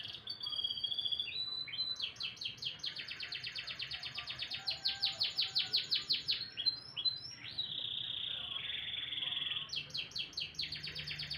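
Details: Canary singing in the morning: long, fast rolling trills of sharp repeated notes, broken by short whistled slurs and a held bright tone, sung continuously with little pause.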